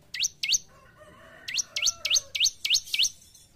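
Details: Bar-winged prinia kept in a cage, two sharp chirps followed by a quick string of six high, V-shaped swooping notes at an even pace.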